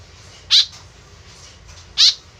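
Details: White-breasted woodswallow (kekep babi), a tame, vocal free-flight bird whose calls serve as a lure to draw others close. Two short, harsh, buzzy notes about one and a half seconds apart over quiet background hiss.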